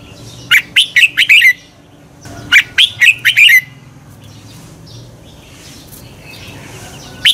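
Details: Red-whiskered bulbul singing, the song used to stir caged birds into competitive singing: two quick bursts of five or six bright, warbled chirps early on, then a long quiet stretch ending in one sharp note.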